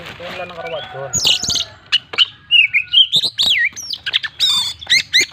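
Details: Kacer, the Oriental magpie-robin, pouring out full-isian song: a soft harsh opening, then rapid varied whistles, rising slurs, and choppy repeated chips in quick succession.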